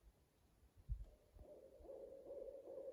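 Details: Very loud owl soon after sunset at a national forest campsite, echoing: low, drawn-out hoot that swells and wavers over the last half, after a few soft crackling pops from the campfire.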